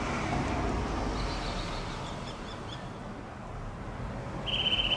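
A Eurasian nuthatch gives a few thin, high piping notes, then a quick run of rapid pulsed notes, over steady traffic rumble.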